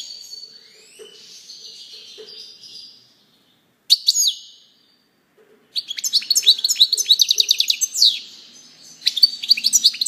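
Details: Soft buzzy warbling, then a sharp note, quiet, and a long energetic goldfinch phrase of fast tinkling twitters and chirps with a brief pause.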